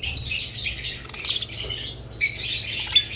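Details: Budgerigars kept with lovebirds give sharp, high squawks and chirps in quick bursts, with clear whistled accents and brief quieter stretches, over a faint low steady hum.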